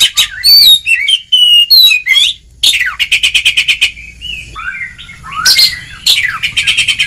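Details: Oriental magpie-robin delivering continuous ngeplong song for mental training of idle birds; rich warbled whistles, a fast buzzy trill of rapid clicks, then rising and falling slurred notes.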